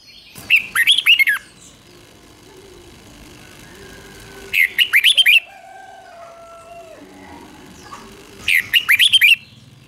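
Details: Red-whiskered bulbul in the doubled 'beun' song style, meant for young birds to copy: three brief clusters of rapid bright warbling notes about every four seconds, separated by quiet gaps with a soft tonal hum.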